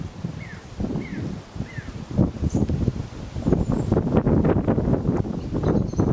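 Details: Song thrush singing by a roadside in Lincoln: three sharp down-slurred whistled notes repeated in quick succession, then buffeted by heavy wind rumble and rustling.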